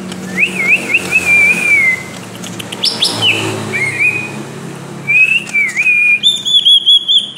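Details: Greater green leafbird singing in the energetic ngentrok style, used as a tutoring reference for other birds: wavering whistled phrases that rise and fall, broken by short sharp upslurs, then a fast bright trill near the end.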